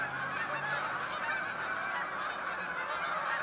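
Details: Canada geese by the hundreds taking to the sky, heard as a constant, close chorus of overlapping honks with a few clearer single calls.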